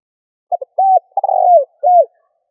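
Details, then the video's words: Single phrase of a spotted dove's luring call for decoy birds: short clipped double note, a smooth coo, a buzzy trill gliding downward, then a final rounded coo in a soft, low register. "Cu gáy gọi hay kích bổi nhanh nổi"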